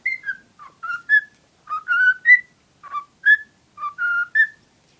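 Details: A female cockatiel kept as a pet and infatuated with a cuddly toy sings melodic whistled phrases, paired notes that rise then dip, grouped in bursts with short silences between, in a quiet room.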